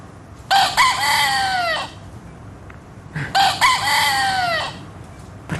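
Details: Rooster crowing played in a preschool lesson on animal sounds, movements and habitats: two long harmonic crows, each about 1.3 seconds with a rising start and a falling end, separated by a pause, with faint room noise between them.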